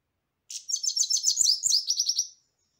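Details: European goldfinch song: a fast tinkling twitter of high, bright chirps and liquid trilled notes, delivered in a continuous burst of about two seconds.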